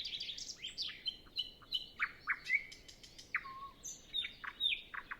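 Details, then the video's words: Pre-dawn nightingale song on a still morning before other birds wake, captured with Zoom F6 and Sennheiser MKH 8040: varied rich phrases of sharp chips, bright whistles, one low fluting note, and clipped repeated notes. "Nightingale Sound Library"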